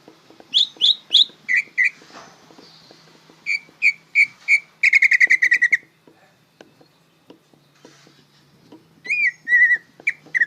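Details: Greater green leafbird learning song, bongkaran style. Loud whistles in twos and threes, a fast buzzy rattle lasting about a second, then quiet before a few final slurred whistles.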